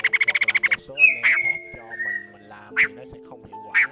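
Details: A male and female laughingthrush (khướu ngực hồng, Da Lat) calling to a flock, in a recording used as a trapping lure. The bird gives a fast run of about ten clipped notes, then harsh squawks and rising chirps, over a steady low electronic hum.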